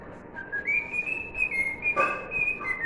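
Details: Cockatiel whistling "If You're Happy and You Know It", one long phrase that rises from a lower note to a held tone with small steps, broken by a short noisy click.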